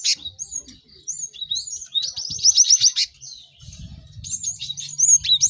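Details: Cinereous tit song for teaching caged birds to sing quickly: whistled upslurs, then a fast run of sharp repeated notes, more slurred whistles and chatter, with a low hum late on.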